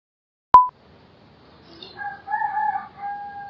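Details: A distant rooster in a mountain village on a summer morning crows one long, drawn-out, wavering note that holds steady and is cut off at the end, with a sharp electronic beep just before it.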